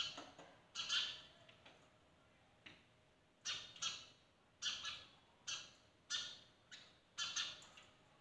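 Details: Sparrows at a window in the morning: sharp, bright chirps, given singly and in quick pairs, repeat through the recording against a quiet background.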